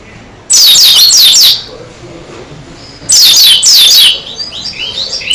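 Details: Oriental white-eye, Dakun type, in full persistent song with beak open, giving two strident bursts of high, thin, quickly looping squeaky notes with a pause between, recording overloaded.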